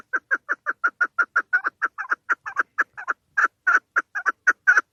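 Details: Chukar partridge hen calling to lure birds for hunting: a fast, even string of harsh clucking chuk notes, about four per second, holding steady throughout.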